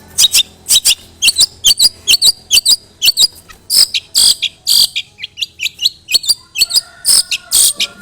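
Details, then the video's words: Long-tailed shrike song used as a lure to make other shrikes sing, filled with imitated fighting-sparrow material: a rapid stream of harsh, buzzy bursts alternating with sharp high chirps, delivered almost without pause. "CENDET ISIAN GANAS Pancingan Ampuh Burung Trotol Gacor"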